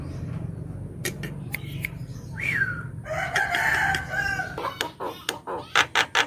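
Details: Javan myna song, used as a lure and to get silent birds singing: scattered clicks, a rising slurred whistle, then a buzzy twangy phrase and a run of sharp clicking notes over low background rumble.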